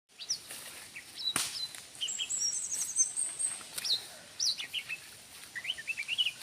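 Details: Greater green leafbird in energetic song: rapid high whistled and chirping phrases, short notes slurring up and down, with a clear thin high note held briefly; a few sharp clicks and rustles between phrases.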